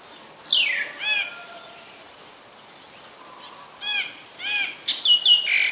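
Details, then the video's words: Green-billed malkoha (Rhopodytes tristis) giving a quick falling whistle, then a few short, rough, arched squeaky notes at uneven intervals, ending in a burst of sharp chirps. "นกบั้งรอกใหญ่ (Green-billed Malkoha)"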